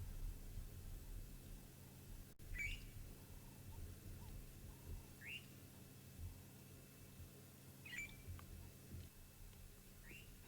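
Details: A fork-tailed drongo perched on a treetop in South Africa, a bird that follows antelopes, elephants or buffaloes to catch disturbed insects, gives short, sharp upslurred calls every two to three seconds over a low rumble.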